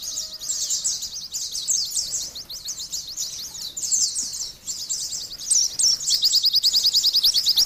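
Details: Oriental white-eye chatter: dense, high twittering phrases that begin tangled and hazy, then settle into a clear, rapid run of crisp repeated notes near the end.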